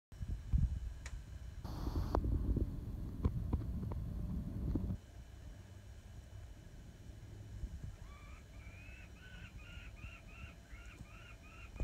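Peregrine falcon chicks give a quick run of about eight thin, rising-and-falling whiny notes near the end, after several seconds of loud rumbling wind or handling noise.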